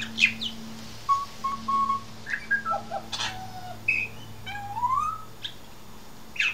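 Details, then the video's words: Australian pied butcherbird giving varied fluted whistles: level held notes, short slurred phrases and a rising glide, over a constant low electrical hum. "Pied Butcher Bird Comedy Routine"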